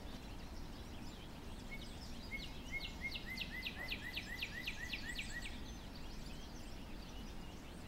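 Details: A northern cardinal singing in the snow: a rapid run of about a dozen clear, downslurred whistles, roughly four per second, over a steady low rumble of background noise.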